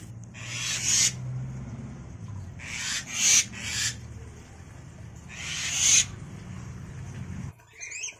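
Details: Five-day-old Javan myna chicks in a nest box begging as the parents, formerly caged pets now living free, take turns feeding them grasshoppers and caterpillars: three harsh, rasping hissy bursts a few seconds apart, then a brief chirp.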